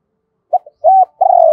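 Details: Spotted dove decoy cooing to lure wild doves, double-voice style. A brief low note and a tiny blip, a steady level coo, then a long, slightly falling, pulsing coo that runs to the end.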